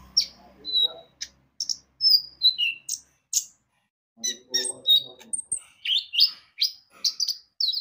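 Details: High, thin chirps and short whistled slurs from an olive-backed sunbird in vigorous song, meant to lure birds into singing, delivered in uneven bursts with a brief pause midway and faint low murmuring.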